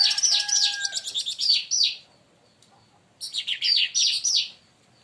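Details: Leafbird roused into loud song by a provoking bird, near palm sugar: two bursts of rapid, high, descending slurred notes and chirps, separated by a short pause.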